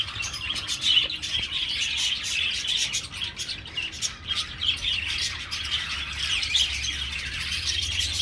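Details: Many budgerigars housed together in an aviary chirp and warble continuously, a somewhat softer, fluttering chorus of short high notes over a low hum.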